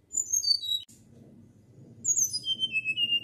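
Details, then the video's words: Natural fluting song of a flycatcher: a high whistled phrase stepping down in pitch, a short gap with low background rumble, then a second descending run of pure, sliding whistles. "Sikatan Gacor Suara Nyuling Alami"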